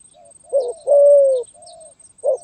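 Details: Spotted dove, stuttering 'gagap tindan' song style, recorded 23 January 2022: a short coo, a long level coo, then a soft trailing note, with a thin high continuous whine and faint chirps behind.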